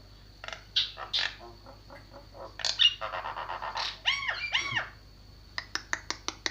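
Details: Javan myna song mixing soft chattering notes, a harsh buzzy rattle, arched nasal whistles, and a closing burst of sharp clicks, with a continuous thin electrical whine.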